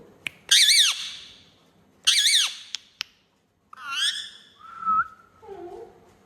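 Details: Pet ringneck talking parrot indoors in a small room: two loud harsh squawks with rich harmonics, then a quick clicking chatter and a short whistled note sliding down, followed by softer squeaky murmurs.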